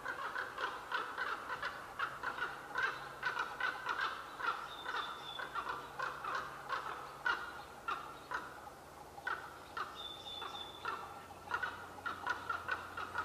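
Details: Pair of unseen common ravens in trees, Qualicum Beach, May 23, 2011, holding a loquacious exchange: dense, throaty knocking and croaking notes in quick series. Two brief high whistles from another bird.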